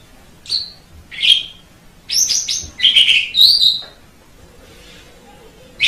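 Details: Scattered whistles and harsh, rasping notes from an Asian pied starling, recorded as training song for birds, ending in near quiet with a faint low hum.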